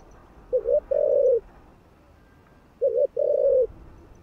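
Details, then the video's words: Spotted dove giving coos to excite other doves. Two phrases about two seconds apart, each a clipped double note followed by a long, even, low coo. "Chim Cu Gáy Thúc Gù. Kích Mồi.Kích Bổi Cay Cú | cu gáy kích bổi nhanh nổi"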